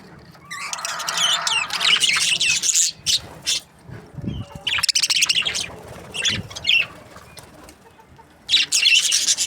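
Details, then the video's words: Breeding-pair budgerigars give loud bursts of high, scratchy chirping and chatter separated by quieter gaps, with a few low soft sounds in between. "Budgies parrot chirping sounds | breeding pairs"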